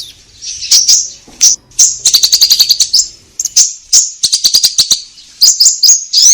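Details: Orange-headed thrush singing energetically, meant to prompt caged birds: bright whistled notes mixed with bursts of quick dry ticking, delivered in phrases separated by short pauses.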